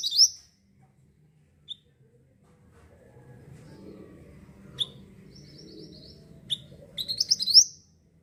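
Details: Mantenan sunbird in lively song, offered as a lure for birds: brief bursts of high rising notes at start and end, with isolated sharp chips, a soft thin trill and low rumble between.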